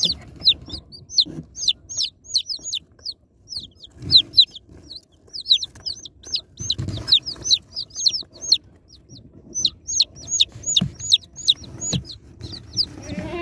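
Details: A box of baby chicks being opened fills the air with constant high, piercing peeps from many birds at once, densely overlapping, while scattered taps and shuffling sounds come through beneath.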